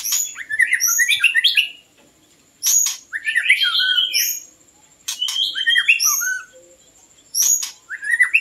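A white-rumped shama sings rich, varied bursts of clear whistles and chattering notes, each phrase lasting about two seconds with short pauses between.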